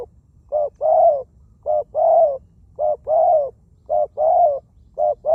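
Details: Ground-decoy spotted dove with a small voice and plentiful coos, calling steadily: five evenly repeated phrases, each a short note then a fuller rolling croo, about one per second, background quiet.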